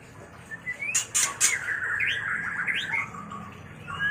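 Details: White-rumped shama mating song used for training and luring birds: rising whistled slurs near one pitch, a few sharp clicking bursts early on, then a sustained whistled phrase with upward flicks.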